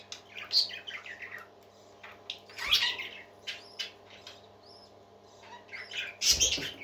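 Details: Several parakeets singing happily: quick twittering chirps, a few thin whistles and harsh scratchy bursts, irregular and overlapping, with a low hum beneath.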